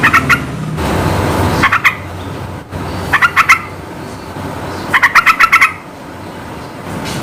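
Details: Yellow-vented bulbul in full, energetic song, meant to stir up other bulbuls and make them answer: bright bubbling bursts of quick chattering notes, three to six per phrase, with short pauses between phrases.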